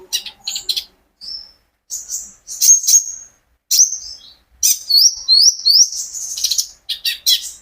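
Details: Olive-backed sunbird, known locally as kolibri ninja, a kept bird recorded by its owner to coax other birds into song. It gives high, sharp chips and fast rising-and-falling whistled runs in lively bursts separated by brief natural gaps.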